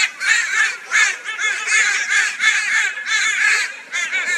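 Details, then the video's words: A flock of crows harass a barn owl in Brisbane, Australia, in February 2022. Loud, raspy calls come in rhythmic pulses, roughly two per second, with several birds calling at once. "Crow Reacts to Barn Owl with High Volume Raucous Noise"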